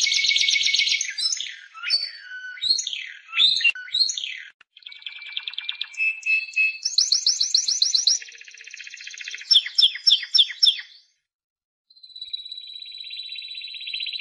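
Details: Timbrado canary song in quick-changing sections: a dense buzzy roll, stuttering chirps, metallic rattling trills and sharp rapid notes, then a brief pause before a long, steady, sustained trill.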